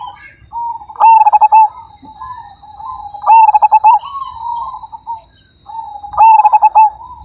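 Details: Zebra dove of the Majapahit line singing with a big voice: three loud, stuttering bursts of quick coo pulses come about every two and a half seconds, linked by softer rolling murmured coos.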